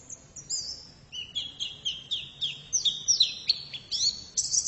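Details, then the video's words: Female white-eye singing: high thin whistled notes and quick slurred chirps, starting softly then growing louder in a steady run of short bright phrases, some rising and some dropping, with no other sounds. "Pleci betina sangat bagus suaranya"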